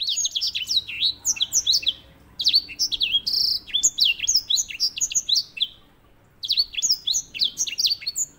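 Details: Grey singing finch used as a master singer for canaries: long, lively strings of sharply slurred high whistles with a short buzzy insert, about two seconds of quiet, then the phrase starting again.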